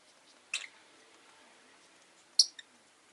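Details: Two abrupt, very high-pitched chirps from a rosy-faced lovebird, nearly two seconds apart, the second followed by a tiny faint echo-like chip, over a hushed background.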